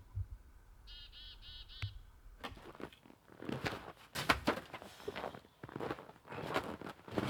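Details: In snowy January, a chickadee gives a quick run of four buzzy, even 'dee' notes, then loud crunching, scraping work noises take over; this chick-a-dee call is a warning to other birds, with more 'dees' signalling a bigger threat.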